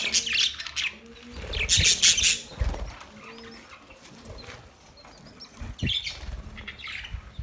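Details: Budgerigar chirping, with dense, hissy high chatter in two strong bursts near the start and softer notes later, mixed with thumps and low rumbles.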